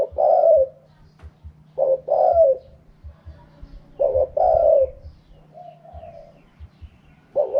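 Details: Spotted dove singing in the wild-style 'karam pa' manner: low, hoarse cooing phrases, each a short clipped note followed by a longer rolling coo, repeated roughly every two seconds, over a faint steady low hum.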